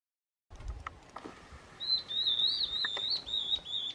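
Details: Stripe-backed Antbird (Myrmorchilus strigilatus) giving a high, clear whistled song of wavering, slurred notes for about two seconds, after a few low knocks and handling noises.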